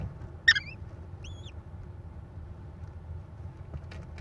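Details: American kestrel nest in Wisconsin, May 13, 2021, where the mother arrives with prey and feeds her four chicks, caught on a nest camera; one sharp harsh burst, then a single thin arched whistled note over a steady low hum.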